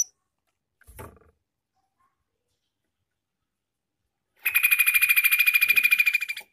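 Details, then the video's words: Bulbul song used to call wild bulbuls. A soft knock is heard early, then a long silence, followed by a steady, rapid chatter of ringing notes repeated about three times a second for two seconds. "Suara Trucukan Gacor Garuda Panggil Trucukan Liar"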